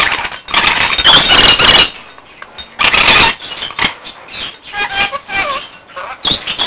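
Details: Pet rainbow lorikeet indoors, guarding its bell; long, harsh, noisy screeches, a shorter second burst, then softer chatter with small rising whistled notes and clicks.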